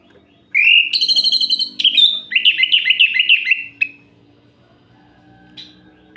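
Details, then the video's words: Orange-headed thrush singing at night to excite rival males: a rising whistle, a rapid trill of repeated notes, then a long run of quick warbled syllables, ending in quiet with one brief high note. "Suara Ini Bikin Gerah Anis Merah Lain"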